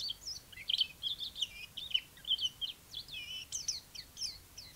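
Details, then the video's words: Chinese white-eye in energetic song, a busy stream of high, squeaky twitters and short rising and falling whistles with barely a pause. "white eye singing"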